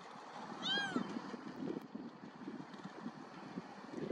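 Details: Far Eastern curlew from a flock in Korea, July–August 2024, on a day of strong hot wind, calling as it flies up: a single mournful, rising-then-falling whistle under half a second, with steady wind or surf noise.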